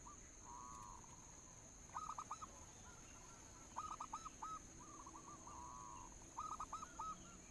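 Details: Soft zebra dove lure song from a local bird: three clusters of quick hooked coos spaced a couple of seconds apart, separated by drawn-out wavering notes, against steady hiss.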